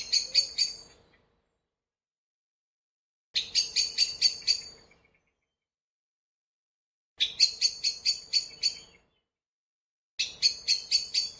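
Great spotted woodpecker giving bursts of sharp, high, ticking notes, eight to ten in quick succession, repeated every three to four seconds over a faint low hum.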